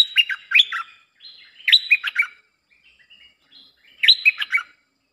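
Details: Bulbul singing, a recording used as a lure for wild birds: three short phrases of rapid, liquid, chattering whistles, roughly every two seconds, with quiet soft notes between them.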